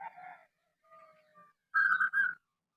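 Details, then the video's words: Local Indonesian zebra dove (perkutut lokal) in full song, used to lure other doves into calling. A short burst of rapid, rolling, cooing notes follows fainter low murmurs and a brief whistled tone. "perkutut lokal gacor suara aneh"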